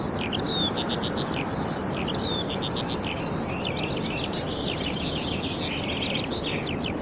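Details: A skylark at Minsmere, a coastal reserve, in summer pours out a continuous, fast, high warble of chirps, trills and short whistles without a break, over the steady roar of surf crashing behind it; a cuckoo is faintly audible.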